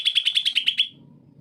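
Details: Greater green leafbird, singing to stimulate lazy birds of its kind: eight quick, piercing high notes in a tight row lasting under a second, then quiet low hum.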